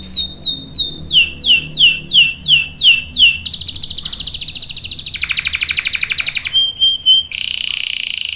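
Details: Canary in full rolling song, used as a tutor for young birds: about eight clear downslurred whistles, roughly three per second, then a fast buzzy trill, a thin steady whistle and a high rattling phrase.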